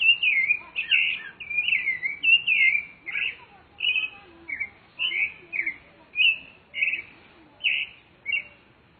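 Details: Song of a rufous-bellied thrush recorded in nature. Loud, rich whistled phrases come in quick succession, then a steady series of short fluting notes roughly every half second.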